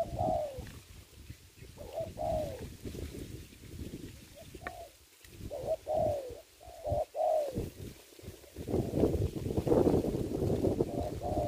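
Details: Spotted dove used as a ground decoy in Vietnamese dove trapping during the Covid season: repeated soft coo phrases in bursts, with gaps between phrases and thumping, rustling noise beneath.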